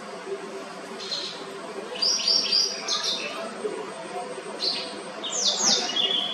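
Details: A white-browed wagtail singing: clear, high whistled notes and trills given in short bursts of rapidly repeated phrases, some sliding downward, with gaps between, over steady low background hum.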